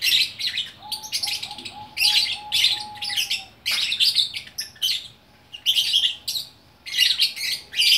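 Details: Gacor lovebird from Bukittinggi, West Sumatra, giving rapid, harsh twittering phrases in repeated bursts of about half a second, with brief gaps and a faint level whine in the background.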